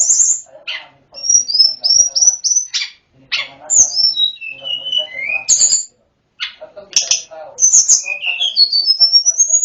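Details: Snowy-browed flycatcher singing a full, varied flute-like song for training other birds: high chips, whistled phrases gliding downward in steps, a pause, then quick notes and a rising whistled run.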